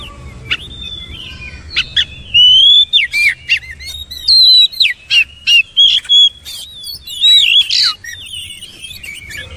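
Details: Varied, loud song of an Oriental magpie-robin: clear sustained whistles alternating with sharp clicks and rapid warbled notes in short bursts, about four phrases per second in places, over a quiet low hum.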